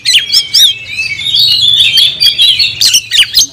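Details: Captive oriental magpie-robin singing vigorously: sharp high chirps and a long, rich warbled run of slurred whistles, ending in repeated squawky notes, with faint low hum behind.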